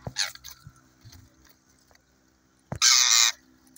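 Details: An Indian ringneck (rose-ringed) parakeet in a tree, in a happy mood, gives a brief harsh squawk, then after a pause a louder, grating, high screech lasting about half a second, with faint clicks between them.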